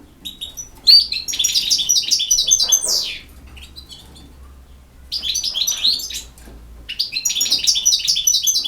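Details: European goldfinch, campero song: a sharp note leads into fast tinkling twitters and a descending buzzy slur. A pause follows, then two more bursts of chattering, trilled phrases with thin sustained whistles.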